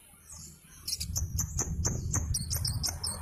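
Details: White-eye in kelud dakun style: rapid sharp high chirps and twittering notes after a quiet start, with a low rumbling background.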